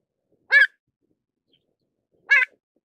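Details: Two brief, sharp calls of a pied avocet about two seconds apart, each a clipped, slightly nasal note, with nothing else audible.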